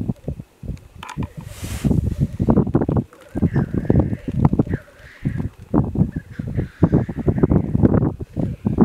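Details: Black grouse in mid-Wales before full light on a gloomy February morning in 2018: dense, low, rolling bubbling phrases repeat almost without break, with a faint hissing note overhead and a constant far-off chorus underneath.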